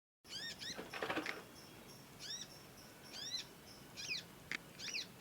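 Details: Young conin songbird learning its sound, chattering with long squeaky chirps: sharp, high, downward-arching notes in short bursts, with a brief rustling noise near the start.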